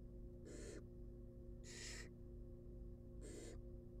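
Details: Wild barn owl nestlings at feeding produce three bright, breathy hisses, each under half a second, separated by about a second, with a persistent background hum.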